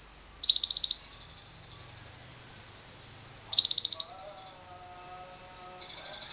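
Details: Lovebird used as a lure to get other lovebirds trilling at length, with wild birds: two rasping, rapidly pulsed chatter bursts, brief high twitters, and a series of lower tonal whistles from another bird in between.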